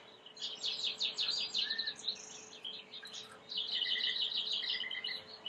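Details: Timbrado canary song used for training, quieter and set against hissy background noise: bursts of quick chirping notes and short trills come in two phrases separated by a brief lull.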